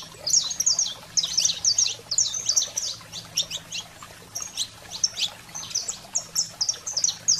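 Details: 'Fogo selvagem' excited singing of a saffron finch, used to fire up pet canaries: irregular groups of sharp, high twittering chirps with brief silences between, over a quiet steady low hum.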